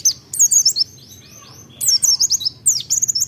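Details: Pleci, the white-eye, in full persistent song used to trigger other birds into singing: three quick bursts of thin, high, tumbling chirps separated by brief quiet gaps.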